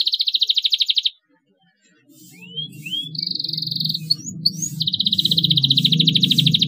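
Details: Canary chirping as a lure for young canaries: a fast buzzy trill, a pause, two rising whistles, another short roll, then a long trill over a steady low hum in the background.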